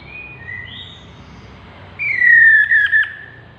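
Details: A chestnut-capped laughingthrush gives soft whistles at the start. Then comes a louder, drawn-out whistle that falls gently in pitch and ends in a brief burst of rapid pulses.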